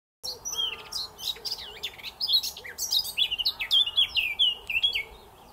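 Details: Eurasian blackcap at Wildshed Lane pouring out a rapid, rich warble of fluty, tumbling phrases at high pitch, running continuously for about five seconds over a faint low hum.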